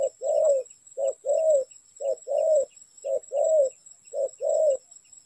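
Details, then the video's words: Trapping lure spotted dove giving five rhythmic two-part coos, each a brief soft note then a drawn-out, gently descending hum, spaced roughly a second apart, with a faint constant high-pitched tone behind. "Bẫy Chim Cu Gáy"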